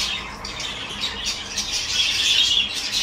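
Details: Peach-faced lovebirds kept for breeding, during mating, calling indoors in a small room: a dense, continuous shrill chatter of harsh squawks and chirps, rising slightly in loudness toward the end.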